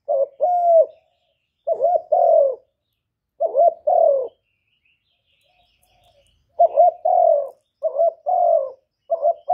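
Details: Vietnamese spotted dove calling to excite caged decoy birds. Low hoarse coos come in clusters: a quick broken note, then a drawn-out, gently falling coo. Three clusters, a silence of about three seconds, then three more in quick order. No other sounds.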